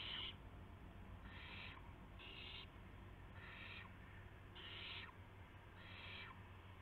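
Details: Owl in early morning darkness, 5:50 AM, March 26, 2016, as a gopher and a mouse are brought in. Broad, hissing screeches repeat about every second above a steady background drone.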